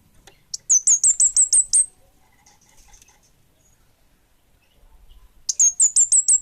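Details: Kemade bunga api, an orange-headed thrush, in vigorous song: a rapid series of about eight piercing, slurred high whistles, a quiet pause of several seconds with faint twitters, then a second identical burst.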